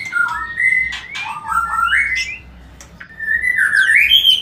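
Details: White-rumped shama song used to encourage mating: rising whistled slurs and clicks, a quiet gap, then a bright warbled phrase.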